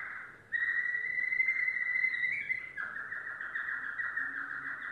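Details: Yellow domestic canary singing: after a short quiet start, a steady whistled note holds an even pitch for about two seconds, then breaks into a fast, buzzy trill of rapidly repeated notes that continues to the end.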